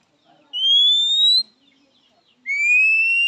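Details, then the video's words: {'caption': 'Oriental magpie-robin summoning a rival, a call both sexes answer quickly: two sustained, clean whistles, each nearly a second long and sliding slightly upward, the second starting lower than the first, with a faint low murmur behind.'} "Suara Khas Kacer memanggil Lawan"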